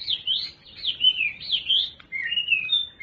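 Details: Captive Chinese hwamei singing a loud, rich run of high, sliding, warbled phrases that swoop up and down without pause, with a faint low hum behind.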